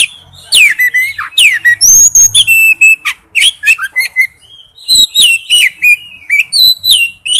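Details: Male oriental magpie-robin calling to a female with a varied run of clear whistles, downslurred notes and sharp ticks, delivered in quick loud phrases with brief pauses.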